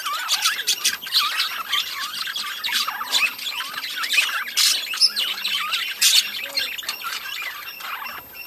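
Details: Budgies in a breeding colony keep up a loud, dense chorus of chirps, rising whistles and harsh squawks, with no pause.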